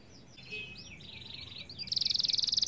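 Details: Canary in rolling song intended to prompt other canaries to sing: faint swept warbling notes give way to a loud, very fast, even trill in the final second, over light background hiss.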